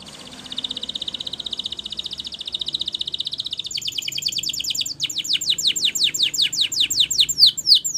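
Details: Spanish Timbrado canary training song: a long, even, high rattling trill shifts into clear, separate, steeply falling whistles repeated about four times a second, with soft background hiss.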